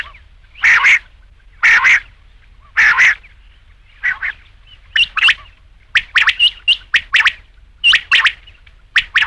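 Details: Rain quail calling, used at night for hunting: harsh doubled notes repeated about once a second, then a quicker run of short clipped bursts mixed with brief tonal chirps; quiet background.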